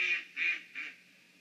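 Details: Egret flying past on the morning of 16 September 2020. It gives three harsh, croaking squawks, each about a quarter second long, spaced roughly evenly and fading a little, in a quiet setting.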